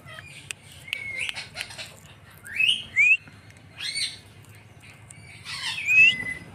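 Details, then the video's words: Pet green parrot making scattered rising whistles and short squeaky chirps, growing louder toward the end, with a few clicks and a faint constant low hum. "Natural sound of parrot"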